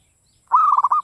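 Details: A single song phrase from a local Javanese zebra dove in classic Mataram style, a held cooing note followed by four rapid throbbing pulses, ending crisply in silence.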